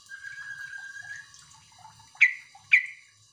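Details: Sooty-headed bulbul (trucuk) calling to prompt answering birds: a thin, level whistle lasting about a second, then two sharp, emphatic notes half a second apart.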